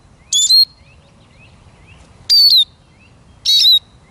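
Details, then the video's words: Eurasian siskin uttering three loud squeaky calls, the first doubled, each a shrill downslurred whistle, with soft rising chirps from more distant birds between them. "Как поет чиж"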